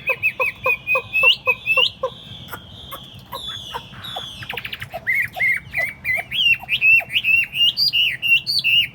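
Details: Tame caged Chinese hwamei set on a table sings: a run of short repeated notes, then long varied whistled phrases that sweep up and down, loud and clear with brief pauses.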